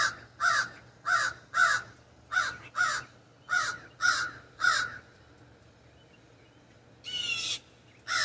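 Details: Raven in a backyard ash tree: eight hoarse caws in quick series, a pause of about two seconds, then two more rasping calls, one longer and noisier.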